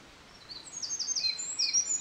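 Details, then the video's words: Eurasian Wren singing close by along a mountain stream on 24 May 2013, joining in after a distant Japanese Thrush began. Rapid, very high-pitched buzzy trills and chips, with lower whistled notes beneath. "ミソサザイとクロツグミの囀り Eurasian Wren & Japanese Thrush"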